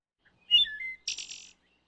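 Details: Wood thrush song in woodland: one phrase of a few clear, flutelike whistled notes that dip and then rise, ending in a high, buzzy, shimmering trill.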